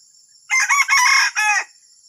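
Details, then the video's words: Strange, disturbing-sounding junglefowl crow: one burst of four rough, closely joined segments, the final part sliding downward. A high electronic whine sits underneath. "AYAM HUTAN SUARA ANEH PENGGANGGU"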